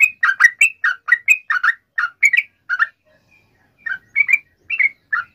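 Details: Sooty-headed bulbul lure song to make other bulbuls sing: a quick burst of bubbly warbled notes, a short pause, then a few more similar phrases.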